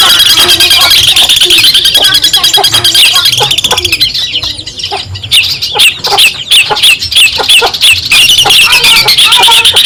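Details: Long-tailed shrike from Madura in a tutor recording for songbirds: rapid trilled chattering, a brief softer dip midway, then sharp scratchy notes and clipped whistles resuming.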